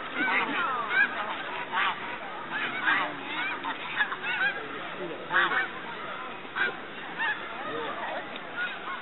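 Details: A large flock of snow geese feeding and resting on a hillside at Middle Creek, Pennsylvania, during spring migration clamors continuously with overlapping nasal, yelping honks in a dense wall of sound; finding: Snow goose.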